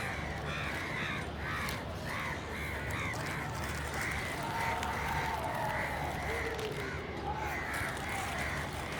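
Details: Run of repeated hoarse crow caws about every half second, joined by a drawn-out lower tonal note midway, over constant background hum.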